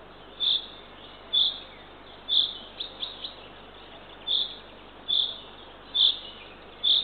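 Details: Northern Estonian nest of the Eurasian eagle-owl, 6:21 am on 3 June 2023: the female feeds her third chick. Piercing hoarse notes come roughly once a second, with a short burst of faint chirps in the middle.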